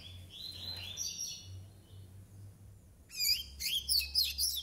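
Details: A soft, drawn-out high whistle opens, then a nine-month-old brown double-collared seedeater breaks into fast, loud, buzzy chattering notes.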